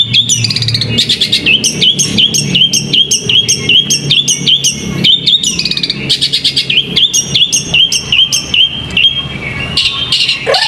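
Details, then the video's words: Caged competition songbird, trained for bird singing contests, sings loud rapid strings of sharp whistled chirps and trills, many notes per second with short pauses, over a steady low hum of background noise. "Peaceful Bird Chirping Sounds"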